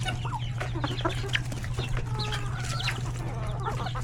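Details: Chickens with roosters and many chicks in a coop at lunchtime feeding; dense overlapping clucks and thin rising peeps from chicks, one longer drawn-out hen note, over a constant low mechanical hum.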